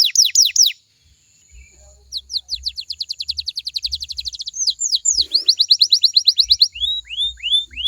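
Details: Pet canary song played to coax other canaries into answering: quick falling notes, a short pause, a long rapid trill of high chips, then slower arched whistled slurs, with faint low thumps beneath.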